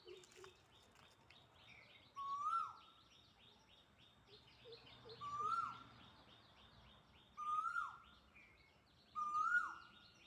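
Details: A quail, heard but unseen, perched near a tree, gives a clear single note that rises then slides down, about every two and a half seconds. It stops and restarts among another bird's calls, steady insect chatter and distant birds.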